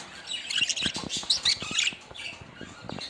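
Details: Budgerigars in busy chatter: dense, overlapping high chirps and raspy warbling that run almost continuously, with soft low knocks and taps underneath.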